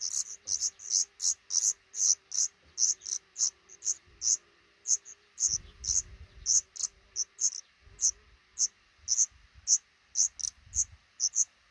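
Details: Black redstart nest under a roof above a front door, a pair raising five chicks at hatching time; rapid run of loud, very high, sharp peeps, several each second, continuing throughout with brief low rumbles.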